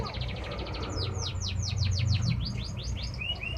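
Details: Canary singing a fast trill tour of clear downward-sweeping whistled notes, about four per second, in a steady run, over a low background hum.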